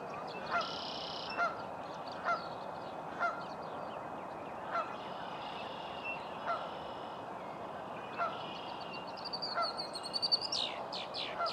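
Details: Morning Virginia rail in a local park calling a long series of brief nasal notes spaced about a second apart; small birds trill and chatter in the background, busier toward the end.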